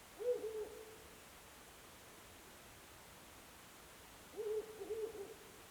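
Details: Owl heard nightly from the mountain opposite, late February to early March; two low hooting phrases about four seconds apart, each a short broken run of soft hoots, over faint steady hiss.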